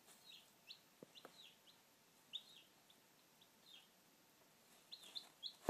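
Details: Newly hatching chicks give high, downslurred peeps in irregular runs, interrupted by a few sharp knocks and clicks over a quiet background hum.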